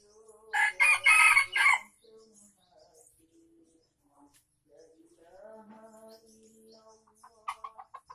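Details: Junglefowl from Aceh crowing, a recording used to lure wild birds: one loud, harsh, broken crow of about a second, followed by quieter tonal background sounds and a brief burst near the end.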